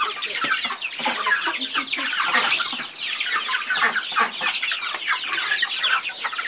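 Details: Chickens in a group keep up constant overlapping clucks, with sharper squawks rising out of the chatter now and then.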